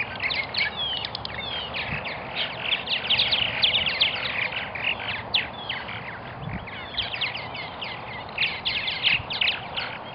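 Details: Nesting colony of purple martins in Melbourne, Florida: a steady stream of overlapping chirps, creaky gurgles and squeaky notes from several birds, about two or three notes each second, over soft background noise.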